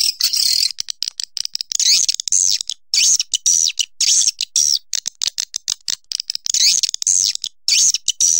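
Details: High swiftlet twittering with repeated rising-falling buzzy phrases, interspersed with rapid clicking chips, in uneven bursts of about two per second.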